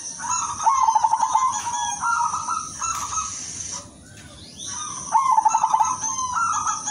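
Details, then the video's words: Silver zebra dove song meant for luring and therapy: two phrases of clear coos breaking into rapid trilled pulses, separated by a short pause, over a constant hiss. "PERKUTUT SILVER SUARA MERDU UNTUK PANCINGAN DAN TERAPI"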